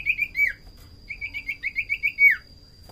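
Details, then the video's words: Song of the common iora (sirtu cipoh), used to lure birds and set others singing: short clear whistles, then a quick row of about eight bouncing notes ending in a sharp falling whistle. "Pancingan burung sirtu cipoh paling ampuh"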